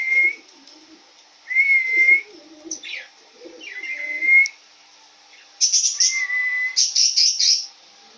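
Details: Male cockatiel, yellow-face grey, about one and a half years old, giving clear level whistles and short rising notes, then a loud run of bright chirps; faint low background sounds underneath.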